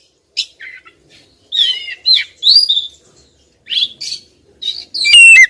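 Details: Female Oriental magpie-robin calling insistently at a male: short bursts of buzzy, chattering notes with a few rising whistles, separated by brief pauses, in a quiet setting.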